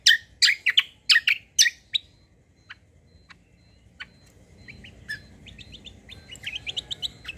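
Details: White-eye song used as a lure so other birds answer: loud, sharp broadband chips in quick bursts for two seconds, then fainter high thin notes and rising twittered phrases repeated rapidly.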